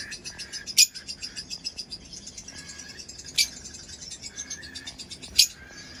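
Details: Lovebird producing continuous quick, buzzy twittering pulses, with three short piercing squawks spaced about two to three seconds apart.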